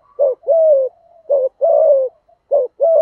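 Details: Spotted dove, a lure bird with the voice style called thổ thúc gù, calling to provoke wild doves; low hollow coos around 500–700, short note then long drawn coo, pairs repeated about every second, quiet background.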